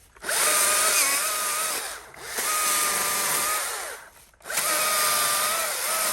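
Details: Trail maintenance work: a power saw whines in three long bursts about two seconds each, separated by short pauses, with no animal sounds.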